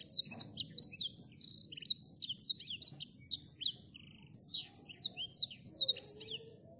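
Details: An agitated Blackthroat (Calliope obscura) sings an excited, unbroken stream of high, thin, slurred notes, quick and varied, over a faint low rumble.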